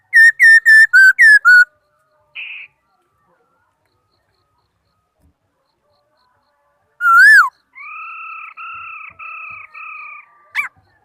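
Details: Laughingthrush song recorded in 2018: a quick run of six loud, slurred whistles, then a rising-falling whistled note, with a steady two-toned hum droning beneath the later part.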